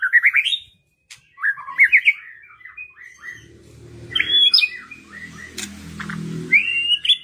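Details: White-rumped shama song used as a lure to push reluctant birds into singing: short bursts of rich, varied whistles and chattering phrases with quick rising notes, broken by brief pauses, over a low rumbling background noise in the middle.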